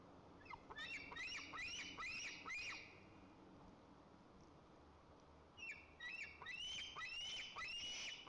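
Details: White-tailed eagles at their nest in Lower Kama National Park, Tatarstan, on 30 August 2024, as the father brings a second fish for the eaglet: two bursts of rapid rising squealing yelps, about six each, softly heard.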